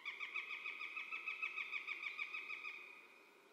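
A Northern goshawk gives a harsh, nasal cackle, a steady run of about three 'kek' notes per second that trails off toward the end.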